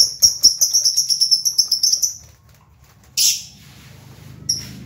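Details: Pet lovebirds, some chattering while others rest or sit in pairs; a fast run of about fifteen sharp high chirps over two seconds, then a pause and two harsh screechy bursts.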